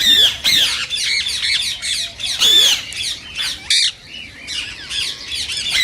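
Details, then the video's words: Rose-ringed parakeet calling to stimulate singing and mating in other parakeets: loud, grating squawks and shrill rising screeches, uneven in spacing, with short chattering notes in between. "صوت ببغاء الدرة الخضراء"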